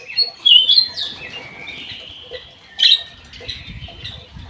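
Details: Black-naped oriole singing vigorously in an aviary: squeaky, scratchy phrases high in pitch with short whistled sweeps, a loud burst near the start and another sharp squawk near three seconds, with quiet low rumble beneath.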